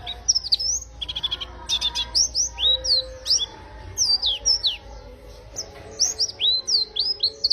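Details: Warbling white-eye pouring out a lively, melodious song: a fast series of high, curved chirps and sweet rising and falling slurs, with short rattling bursts between phrases, nearly nonstop.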